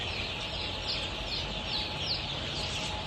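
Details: A crowd of 23-day-old Golden Misri chicks on a Pakistani poultry farm, for sale: a continuous high chirping wash with several distinct short, thin peeps standing out, over a low background drone.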